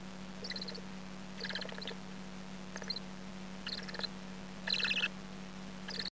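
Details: Chickens: an albino hen feeding a deserted three-week-old chick indoors where they were kept in a cage. Short bursts of high, thin chirping come about once a second, over a steady low electrical hum.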